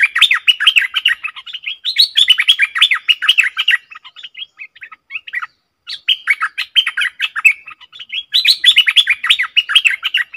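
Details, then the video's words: Caged Stripe-throated bulbul in full song, recorded 7 June 2021, singing rapid, bubbly chattering phrases in dense bursts, with a short pause partway through. "Suara merbah lekir gacor"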